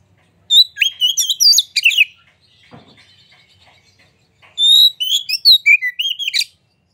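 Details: White-rumped shama song played to trigger singing in other birds; two rich phrases of fast, looping whistles and chattering notes separated by about two seconds of faint clicking.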